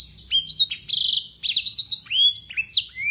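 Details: A local Yorkshire canary sings a long, clear, fast run of high whistled slurs and rapid trills full of blackthroat-style and sanger phrases, used to tutor young canaries, with faint low background hum.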